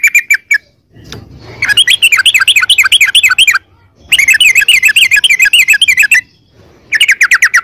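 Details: Gacor yellow-vented bulbul with long ropel song, used to stir caged birds into singing; rapid wavering trills in three bursts separated by short pauses.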